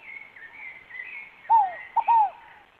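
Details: Single fogo-apagou phrase from a Scaled dove: a falling soft coo, a tiny short note, then a longer drooping coo, following a stretch of thin, higher whistled notes from other birds.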